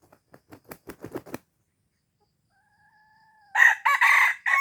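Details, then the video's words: Red junglefowl from Aceh, a call used to lure wild junglefowl: a run of soft rising clucks and ticks, a thin drawn-out double tone, then loud harsh crowing bursts in three segments near the end. "Ayam Hutan Aceh # Pikat Ayam Hutan Ori"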